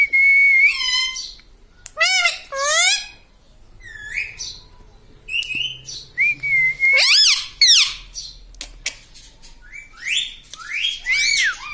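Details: Pet talking parrot whistles clear level and sliding notes, mixed with rapid, wavering chatter and sharp squeaks, in bursts with short pauses.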